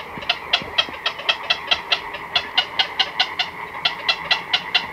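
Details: Close-up nighttime recording of a black-crowned night heron colony with chicks and adults: a steady series of clicking, clucking notes, roughly two to three per second, plus faint low croaks early on.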